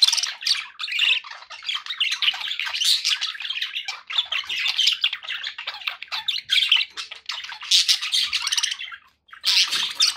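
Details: Pet budgerigars in continuous busy chatter, squawky chirps and buzzy warbling overlapping for most of the stretch, with one short pause near the end.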